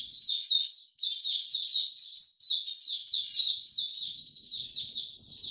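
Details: Warm and very humid, 26 March 2022: a white-eye delivers crisp, high, rhythmic chirping phrases, each a quick downward slide, repeated roughly three times a second in a steady, clear stream.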